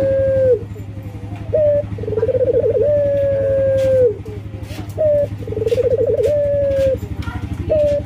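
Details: Breeding male local collared dove calling females with repeated cooing phrases, each a quick rolling trill leading into a long, level coo, roughly every two seconds, against a continuous low humming drone.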